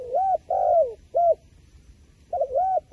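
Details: Wild pigeon calling: short mid-pitched hooting coos with arched, rounded notes, two close together, a pause, then more coos, clear over a quiet rural background.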